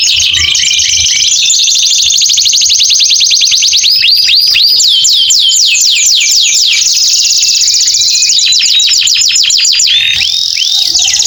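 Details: Long canary song for therapy of canaries that have stopped singing: rolling trills, some very fast and some slower, of sharp downswept notes, shifting between phrase types without pause.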